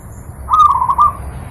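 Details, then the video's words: Zebra dove, recorded as a master for teaching pet birds, gives a clear low warbling coo phrase of rapid trilled notes, about two-thirds of a second long, with a faint hum beneath. "Masteran burung perkutut,sangat jernih dan gacor"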